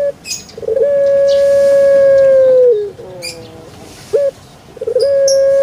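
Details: Puter pelung dove from Java, Indonesia, with two long, even coos, each held about two seconds and dipping at the end, separated by a short clipped note. Faint chirps sound in between.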